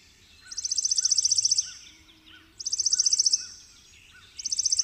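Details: A chipping sparrow (Spizella passerina) sings a dry, rapid, high trill of even chips lasting just over a second, repeated about every two seconds, with faint softer calls of other birds behind.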